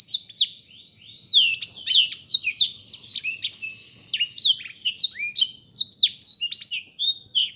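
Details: After a short quiet start, a black-throated canary launches into a fast, twittering song of rising and falling whistles and rattles that continues to the end.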